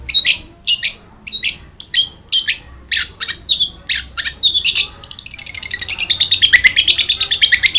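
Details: Long-tailed shrike singing energetically as a tutor recording for a quiet bird: a series of harsh scratchy squawks, then a fast continuous chattering rattle that builds in loudness.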